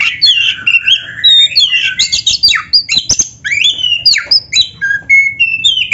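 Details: Black-breasted magpie-robin singing loud canary-style fills: dense, overlapping whistled slurs, rising and falling, with buzzy notes and rapid chips in an almost unbroken flow.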